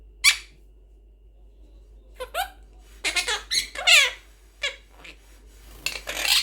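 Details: Talking Quaker parrot, a blue monk parakeet, producing a series of squeaky, speech-like syllables and sweeping harmonic notes, bunched into a busy middle stretch with a few isolated chirps around it.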